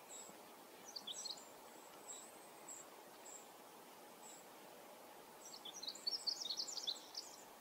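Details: Male Pacific wren singing in forest at Manning Park, July 2020: a bright, rapid tumbling burst of high twittering notes near the end, after scattered high chips, with faint high ticking notes repeating steadily in the background.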